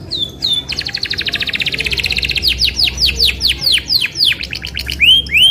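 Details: Isabel canary delivering a long rolling song to coax other canaries into singing: a fast buzzy trill running over a second, then a run of sharp descending slurred notes and rising whistles, with faint music behind.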